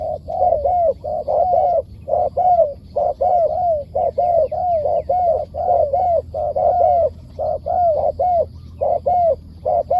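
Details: A wild spotted dove answering a decoy bird gives about twelve cooing phrases in ten seconds, closely spaced. Each has short clipped notes before a longer falling coo, over a faint low hum.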